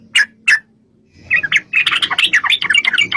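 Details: Yellow-vented bulbul used as a lure to make other bulbuls answer; two short bright notes, a pause, then a dense run of chattering, bubbling phrases around the middle pitch range with low background rumble.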